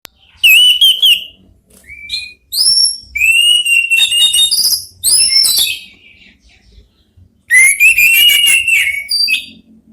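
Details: Three orange-headed thrushes singing and answering one another, kept birds in Indonesia: loud bursts of rich whistled and scratchy phrases with rising and falling notes, separated by short pauses, in four main outbursts.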